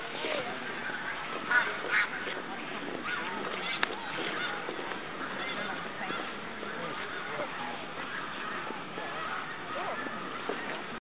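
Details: A dense chorus of snow geese feeding and resting on a hillside at Middle Creek, Pennsylvania, during spring migration, giving overlapping nasal honks and yelps without a break, a few louder calls standing out.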